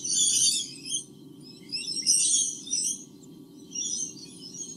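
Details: Two white-bellied sea eagle chicks calling from their nest in Australia on 8 August 2015, picked up by a nest camera: loud, shrill chittering bursts about a second long, three of them, with quiet gaps and a constant low electrical hum.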